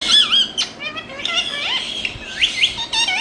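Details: An Indian ringneck (rose-ringed parakeet) in India gives a rapid run of harsh squawks and high, wavering whistled notes, with a few lower chattering sounds between them.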